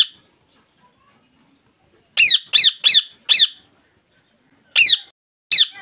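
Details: Harsh squawks from a pet ringneck parakeet in Bangladesh, quiet at first, then four rapid grating screeches followed by two spaced single calls.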